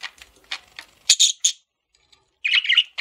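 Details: Pet male budgerigar giving scattered sharp chirps, then a louder burst of buzzy, squawking notes after a brief silence.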